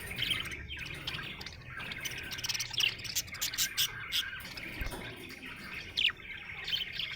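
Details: Budgerigar in a happy mood, chirping and chattering in a busy, scratchy warble, with scattered louder chirps at irregular gaps and a faint low rumble underneath.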